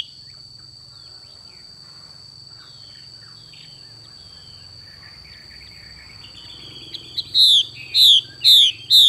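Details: Female Chinese hwamei in 'xùy' call: after seven seconds of near quiet with only faint scattered chips and a steady high whine, three loud downward-slurring whistles burst out in quick succession.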